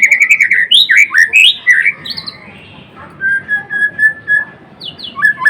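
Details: Lively song of a white-rumped shama of the Murai Blorok type: quick chattering whistled notes and swooping slurs, a quieter stretch of level whistles, then renewed bright phrases.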